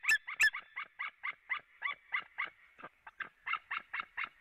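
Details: White-tailed eagle pair at a Latvian nest, 4 March 2017, 16:30, calling from afar then both arriving: a long run of sharp yelping notes, about three a second, after two harsher opening cries.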